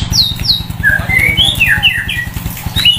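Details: Shown sunbathing at the roadside, a white-rumped shama gives a fast string of downslurred and upswept whistles at varying pitches, ringing loudly over a continuous pulsing low hum.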